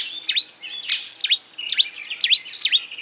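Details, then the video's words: Marsh warbler imitating other species, here a short series of sharp, high V-shaped chirps, each dropping then rising, repeated roughly every half second over a thin buzzy background note. "A marsh warbler (Acrocephalus palustris) imitating other birds"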